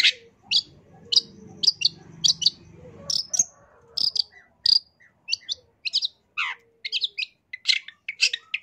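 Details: Long-tailed shrike singing actively with fill-in phrases. Scattered sharp chips and short whistles, one every half second or so, with a soft low hum early on and quiet gaps between notes.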